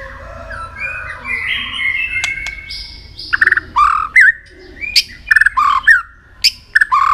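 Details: White-rumped shama trained for contest singing: varied short slurred whistles and clicks in uneven bursts after a soft, muffled start.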